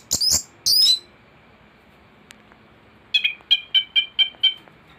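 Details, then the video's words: Thrush recording used to tutor other birds: two short squeaky high bursts, a pause, then a run of about seven evenly spaced clipped chirps, roughly twice a second. "Anis gacor teler isian komplit materi masteran burung anis pancingan bunyi"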